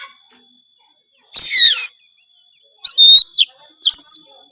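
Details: Kacer, Oriental magpie-robin, in gacor full-isian song: one loud harsh descending sweep followed by a fast varied run of clear chirps and short whistled notes.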